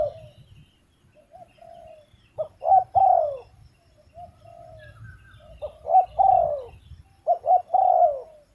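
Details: Spotted dove cooing in repeated phrases: soft low hoots lead into a loud two- or three-note coo ending in a long, falling, slightly hoarse note, with the pattern given three times over a quiet background.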